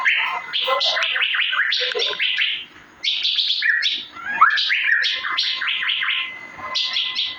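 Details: Asian fairy-bluebird master sound: tumbling, overlapping chirps with sharp rising strokes and rich buzzy texture, delivered in long busy runs broken by a brief silence.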